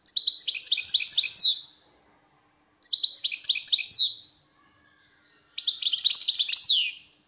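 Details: Three bright twittering phrases from a wild European goldfinch, roughly every three seconds, each a quick tumble of high tinkling notes that ends in a descending slur. Background is silent.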